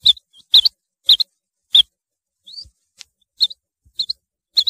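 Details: Rain quail giving high, clipped metallic notes, mostly in close pairs. The notes fall at uneven intervals, with a single rising slurred note in the middle and faint clicks between calls.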